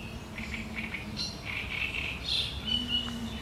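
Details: Great reed warbler singing on 1 July 2020, its song sharp and chattering: short bursts of harsh, grating notes with quick changes in pitch over a steady low hum and faint background noise.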